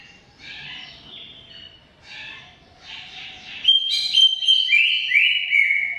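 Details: Greater green leafbird in long, sustained song: soft chattering bursts, then loud clear whistled notes stepping up and down in pitch, flowing into one another, in a quiet setting.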